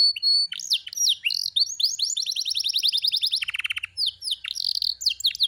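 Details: Canary song opening with a pure whistled note, then rapid repeated syllables, a dense rattling trill and quick downslurred chirps, delivered continuously and loudly.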